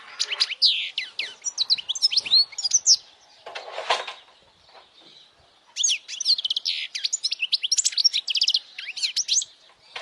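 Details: European goldfinch singing loudly for young goldfinches to learn, chirpy twittering phrases and quick trills, interrupted by a brief rough buzz and quieter gap before a renewed rapid tinkling run.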